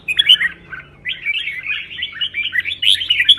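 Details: Red-whiskered bulbul competition song used to train birds. A few sharp whistled notes come first, then after a brief gap a long, fast, bubbling warble of mixed whistles.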